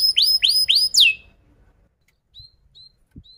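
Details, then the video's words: Canary song used to train young canaries: four loud, bright swooping whistled notes in quick succession, then near silence with a few faint short pips and soft low thumps. "KENARI GACOR PANJANG Rol Rapat EMOSI Cuit cuit Ngerol AMPUH utk Pancingan kenari paud belajar bunyi"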